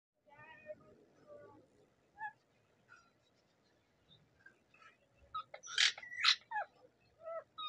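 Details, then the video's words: Native rose-ringed parakeet making one of its many sounds: soft, scattered chattering notes, then a burst of loud, harsh, rising screeches and short squawks near the end, with low room murmur underneath. "টিয়া পাখির নানা রকমের আওয়াজ"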